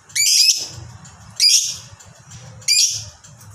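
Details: Lovebird whose long ngekek chatter is meant to set other lovebirds singing: three loud piercing rasping screeches about 1.3 seconds apart, each trailing off into a scratchy tail, with low hum underneath.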